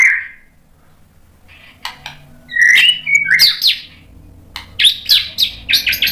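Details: White-rumped shama song used to provoke other shamas into singing: a brief whistle, then a pause, followed by bursts of rich slurred whistles and rapid chattering notes; low background hum.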